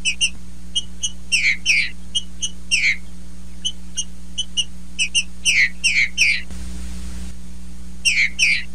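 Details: A female green-winged saltator sings like a male: bright whistled chips followed by paired descending slurred whistles, a short rustling noise burst midway, and a steady low hum throughout.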